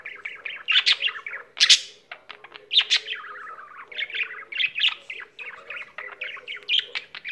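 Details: Domestic budgerigar singing continuously: rapid tumbling chatter of chirps, clicks and squeaky whistles, punctuated by several loud rasping bursts.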